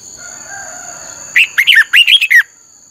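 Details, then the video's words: A single energetic phrase from a red-whiskered bulbul singing 'căng lửa' training song: six or seven clear, slurred whistled notes delivered in about one second, preceded by faint background tones and a steady high whine. "luyện giọng cho chào mào hót hay - căng lửa"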